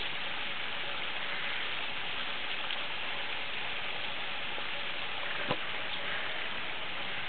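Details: Steady rain patters at a zoo, with a single sharp tap near the end.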